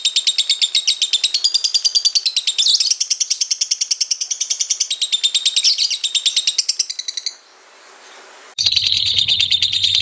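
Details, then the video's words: White-beaked lovebird giving a long ngekek trill: a rapid high chattering trill runs unbroken for about seven seconds, then a brief hissing pause, then the trill resumes louder over a low hum. "LOVE BIRD ngekek panjang (Paruh Putih)"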